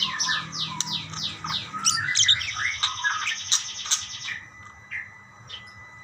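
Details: Budgerigars chirping back and forth, beginning with quick downslurred squeaks repeated about three per second, then a tangle of buzzy warbles that fades to a few scattered notes near the end.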